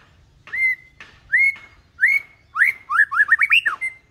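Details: Calm white-rumped shama song meant as a tutor for juvenile birds learning to sing: three separate rising whistles, each ending in a held steady note, then a fast run of repeated up-down slurred notes closing on another held whistle.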